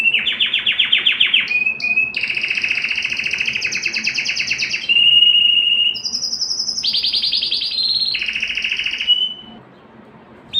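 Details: Canary singing to rouse females for breeding, a run of dense rolling trills: fast repeated notes held in tours, shifting between mid and high pitches, a bright pure whistled segment midway, ending in near silence.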